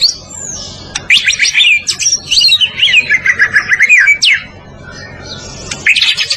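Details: White-rumped shama (murai batu, Medan type) singing a master training song for other birds: rich, varied loud whistles, slurred notes and quick trills, a dense phrase of about three seconds, a short pause, then singing resumes.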